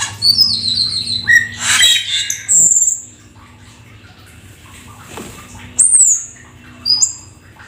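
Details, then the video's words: Black-winged starling sings in short phrases: a burst of whistled slurs and harsh squawks, then a long high whistle, a pause and a few sharp falling whistles. "Jalak Keling gacor full isian"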